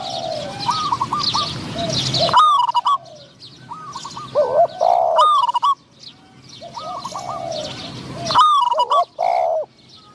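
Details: Spotted dove decoy cooing to lure wild doves, with a wild dove of medium voice answering; loud coo phrases alternate with softer, wavering repeated coos, small birds chirping throughout.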